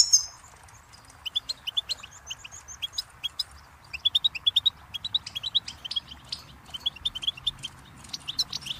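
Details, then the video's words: Goldfinch song opening with a ringing note, then scattered high chirps that build into a busy, fast twitter of sharp, tinkling notes. "Birdsong Motivation Let Goldfinches Inspire Your Success"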